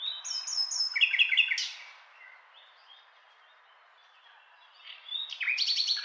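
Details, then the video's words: Nightingale opening with a rapid series of repeated high whistled notes and a buzzy trill, falling silent for about three seconds, then resuming with loud rising sweeps. "Nightingale Sound"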